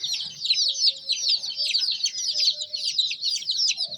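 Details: A crowd of young chicken chicks chirping nonstop, a thick wash of shrill, quick, slightly downslurred peeps, with a faint steady low tone and soft background knocks.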